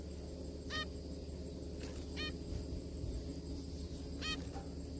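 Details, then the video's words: Zebra finches eating and singing together: three short nasal, honking calls with stacked harmonics, spaced about one and a half to two seconds apart, over a steady low hum. "zebra finch Eat and sing together : zebra finch sound."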